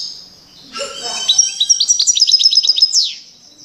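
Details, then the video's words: European goldfinch singing loudly, likely a caged aviary bird: rapid run of bright, high twittering notes, a fast tinkling trill of repeated chips after a brief lower-pitched rustling start, ending in a sharp downward note. "Jilguero Cantando fuerte - Goldfinch singing the wonderful sounds"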